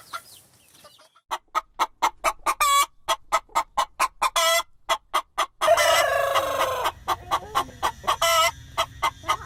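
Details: Hen cackling and clucking inside a farm chicken coop: a steady series of short, evenly spaced clucks breaks into a loud, harsh, extended squawking cackle, then the clipped clucks resume over faint background noise.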